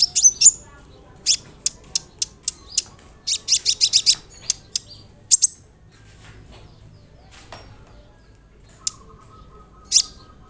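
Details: Olive-backed sunbird song meant to prompt other sunbirds to answer: scattered, piercing high ticks and short chirps, briefly clustered into a rapid burst, with long quiet gaps between.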